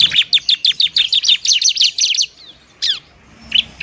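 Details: Bar-winged prinia, described as a fighting bird and used as a lure to stimulate lazy birds to sing: fast run of sharp high chirps, about three per second, for two seconds, then a pause and scattered downslurred notes.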